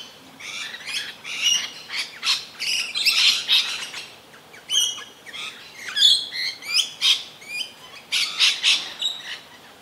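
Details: Rainbow lorikeets (Trichoglossus haematodus) in Australia screech and chatter almost continuously, harsh high squawks and shrill notes tumbling over each other, calling ceaselessly while feeding frantically and acrobatically, alone or as a pair.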